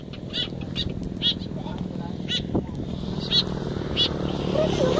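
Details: White-breasted woodswallow at Rowo Jombor, Klaten, during free-flight training, giving short, harsh, high notes at an uneven pace of a few per second, over low rumbling background noise and people talking.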